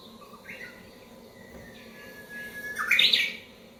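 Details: Japanese bush warbler, wild, come into a house after its song was played online: soft opening notes, a long level whistle, then a loud, fast rising and falling ending flourish.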